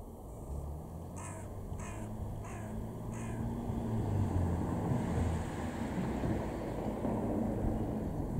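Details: Carrion crow in a garden in Weener, East Frisia, northwest Germany, May 2021, gives four harsh, raspy caws in quick succession, about two per second, over a steady low rumble of distant traffic or wind.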